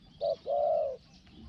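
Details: Small-voiced spotted dove calling during a decoy session in Thailand: one brief low coo followed by a longer, smooth, slightly arching hoot.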